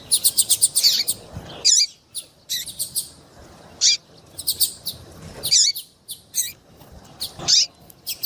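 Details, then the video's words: A female yellow-bellied seedeater calls to stir a male into song: an opening burst of rapid, very high ticking notes, then scattered sharp chirps, some sweeping downward, at uneven gaps. "MELHOR PIADO DE FÊMEA PARA DEIXAR SEU PAPA-CAPIM DOIDO PARA CANTAR LOGO!"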